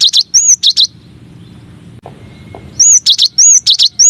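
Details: Gelatik batu, the cinereous tit, in a masteran with nine variations: quick clusters of high chirps and swooping whistles, a brief pause with low hum, then a rapid run of similar looping notes.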